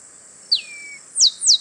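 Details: Male Chestnut-capped Blackbird singing in the wild at Itatiba, São Paulo, Brazil, 24 March 2017 at 08:40, recorded on a Panasonic HDC-HS80: a long whistle sliding downward, then two loud, sharp, steeply falling high notes in quick succession.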